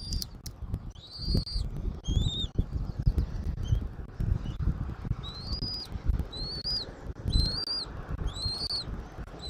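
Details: Bald eagle at the nest in Southwest Florida, recorded by a nest camera on 13 January 2024 in the early afternoon: a few quick squeaky whistles, then a pause, then a steady series of rising piping notes, heard over wind and crackling.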